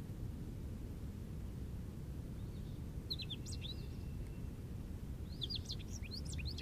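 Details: American goldfinch singing in an Eastern Red Cedar, described as jubilant; after a quiet start, two bursts of high, rapid twittering and sweet slurred notes come near the end, against a constant low-pitched background hum.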